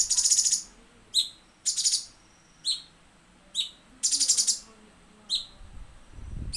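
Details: Cucak cungkok song on a tutor recording for training songbirds, with full rapid phrases: bright high chirps and buzzy, rattling bursts. The bursts are repeated about every second with short pauses between them. A low thump comes near the end.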